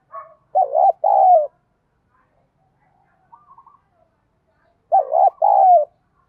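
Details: A spotted dove with a thổ bầu voice gives the giọng đồng thúc đấu call used to lure wild doves with a decoy. Two deep cooing phrases about four seconds apart, each a broken note and a drawn-out falling coo, with a soft chirp between.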